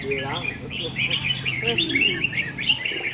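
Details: Red-whiskered bulbul from A Lưới singing on a contest stand: steady, bright, warbled phrases throughout, with lower swooping calls and talk early on.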